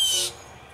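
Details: Blue jay in a territorial fight with others in a tree beside a house; one short, loud, rasping squawk cut off quickly, followed by quiet.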